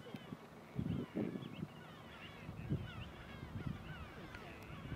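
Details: American flamingo (Phoenicopterus ruber) flock at Marano Lagunare, recorded 4 April 2024, gives deep, goose-like honks and grunts in uneven bursts over fainter overlapping chatter.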